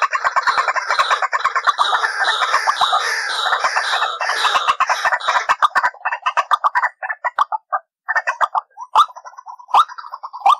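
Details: White-breasted waterhen calling as a lure for trapping: a thick, continuous chorus of raucous croaking and chattering that thins into separate clucks and sharp croaks near the end.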